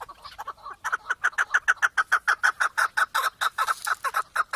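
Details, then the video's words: Chukar partridge giving a steady series of loud, clipped clucks, about two to three per second, building into an even, rhythmic chant. "Keklik en güzel keklik sesi"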